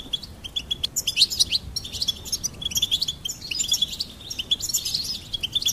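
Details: Goldfinch delivering a fast, lively song of high chirps and liquid twitters, short notes tumbling in quick succession with busier, richer flourishes in the second half.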